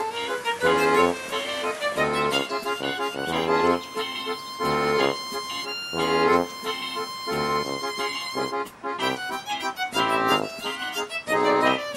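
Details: Lively accordion music plays throughout in steady rhythmic bursts, with no animal sounds heard.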